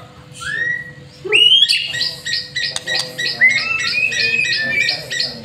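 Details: White-rumped shama lure song: a lone whistle, a harsh squawk, then a long run of rapid, evenly repeated bright chirping notes, over a faint steady hum.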